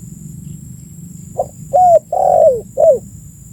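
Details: Spotted dove calling, a recording used as a lure to attract birds: a short soft note, then three low hollow coos, the long middle one sliding downward, over a steady low background hum.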